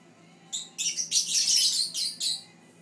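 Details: A single Fischer's lovebird chirping away while its siblings look on, giving a burst of high, rapid, scratchy chirps that run together into a dense chattering stretch before breaking off into two shorter notes.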